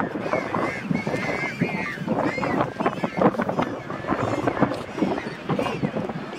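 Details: Penguin mother with five chicks pestering her for a meal, very determined; dense, harsh, overlapping nasal calls run continuously, with a few higher whistled, wavering notes near the start.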